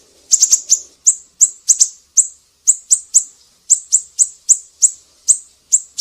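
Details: Siri-siri singing eagerly, a tutor track for songbirds like cucak ijo and kacer; opens with a fast cluster of high chirps, then steady single and paired piercing notes about every half second.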